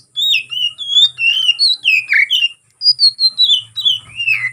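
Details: Oriental magpie-robin (kacer) singing aggressively to provoke a rival: rich sequence of clear whistled slurs, many falling in pitch, in a near-continuous flowing phrase.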